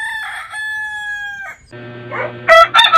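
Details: Crowing rooster from a compilation of heritage chicken breeds: a long level crow breaking off near the middle, then overlapping rougher crows from other birds rising at the end.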